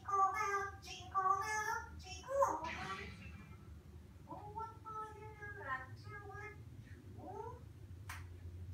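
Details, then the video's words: Sixteen-year-old pet African grey parrot saying Christmas words and singing Jingle Bells indoors; a string of quick, speech-like tonal syllables with rising and falling whistled inflections, a brief noisy burst, then softer phrases and a sharp click near the end. "African Grey says "Ho Ho Ho Merry Christmas" and sings Jingle Bells"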